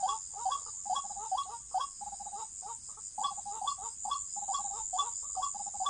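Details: White-breasted waterhen calling in a trapping context, with rapid, repeated short croaking notes that inflect upward, several per second in a steady, fairly regular series, over a constant high insect-like hiss.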